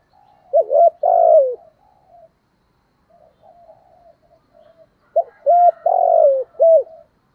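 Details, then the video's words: Spotted dove singing in the 'giọng thổ' voice style: low, mellow cooing phrases of a few short hooting notes followed by a longer slurred coo, given twice with a soft quieter stretch between, in a quiet setting. "cu gáy giọng thổ"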